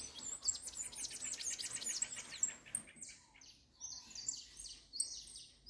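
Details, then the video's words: Spirited saffron finch coming out of moult, singing a rapid run of high, sharp chirps and short slurred notes, then scattered thin whistled notes after a brief pause. "Canária da terra fogosa saindo da muda"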